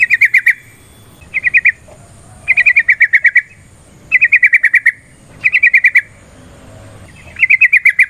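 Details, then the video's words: Yellow-vented bulbul chattering in a provoking fighting-style song: six bursts of fast, evenly spaced sharp notes, some long and some brief, each followed by a short silence. "Suara Burung TRUCUKAN gacor TARUNG ROPEL PANJANG pancingan trucukan agar JADI trucuk gacor EMOSI"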